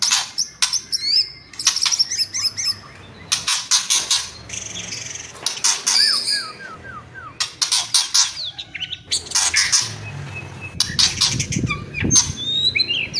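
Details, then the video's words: White-rumped shama singing with kretekan and whistling. Dense crackling rattles alternate with slurred whistles and a quick run of falling whistled notes, with pauses between phrases. "DONGKRAK EMOSI MURAI BATU... KRETEKAN & SIULAN"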